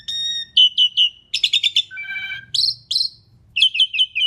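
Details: Asian pied starling singing to lure other birds: steady pure tones, paired whistled notes, a fast rasping stutter, a low whistle and bright rising slurs repeated in a short varied phrase.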